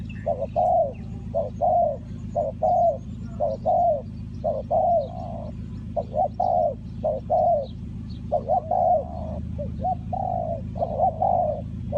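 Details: Spotted dove used to lure wild doves into a trap, Ninh Thuận: repeated soft, low coo notes in paired groups at an even pace, a dense burst near the end, over a continuous low droning background.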